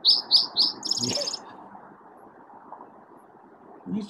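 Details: Spotted Towhee song recorded in Utah: three quick, high introductory notes then a fast, buzzy trill of about half a second, over low room hum; similar to an Eastern Towhee's song but slightly different.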